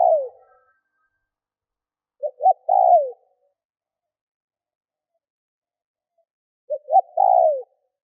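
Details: A spotted dove used as a lure to draw in wild doves gives cooing phrases: two short low notes, then a longer coo that slides downward. The phrase repeats about every four and a half seconds, with silence between.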